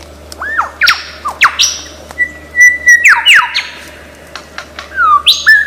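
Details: Lyrebird, described as one of the world's greatest imitators and found in Australian forest, giving a varied string of whistled notes, sharp downward sweeps and a sustained level whistle, with short pauses between phrases.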